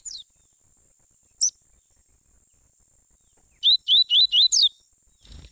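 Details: Double-collared seedeater, a father and son pair: two lone high notes, then a quick run of five sharp, bright chirps in about a second, over a faint, steady high whine.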